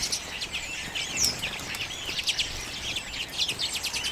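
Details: Several common redpolls feeding on sunflower seeds, late January 2022, Canon EOS M50; continuous mix of twittering notes and thin rising whistles, overlapping from several birds.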